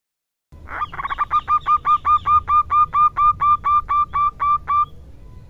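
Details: Female local zebra dove calling in the coaxing 'manja' rhythm, used as a lure for other doves: a fast run of about seventeen short, cooing notes, each with a clear overtone, repeated steadily for roughly four seconds after a brief silence.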